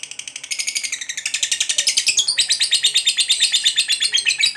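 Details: Lovebird of the fighter type in sustained ngekek chatter, used to rile rival lovebirds: rasping pulses start softer, then build louder and steady, about three per second, in a continuous grating trill.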